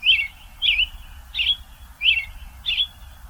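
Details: American robin singing in Vancouver, Canada, in nesting season: five short, clear, warbled phrases, each rising and falling, about two-thirds of a second apart, over a faint low rumble.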